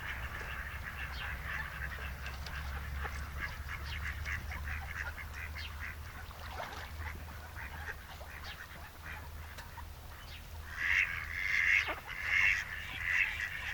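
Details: Breeding-season mallards at Noia's Malecón de San Lázaro, two males courting one female: low steady rumble with faint scattered calls, then a louder cluster of rasping quacks repeated near the end.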